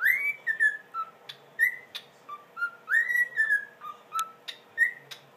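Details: A one-year-old cockatiel, a whistler, whistles a string of clear, rising and falling notes with short chirps between them.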